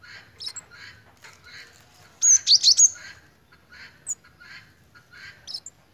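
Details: Malaysian pied fantail in breeding condition, with amusing behaviour, giving thin, high squeaky chirps, with one louder burst of scratchy, squealing notes midway, then sparse high chips.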